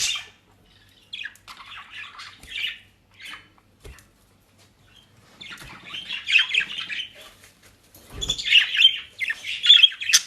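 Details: Several pet budgerigars in South Holland, Netherlands, with dry leaves and grass: scattered short warbles at first, then swelling bouts of scratchy chattering and squeaky calls, with occasional clicks and a thud.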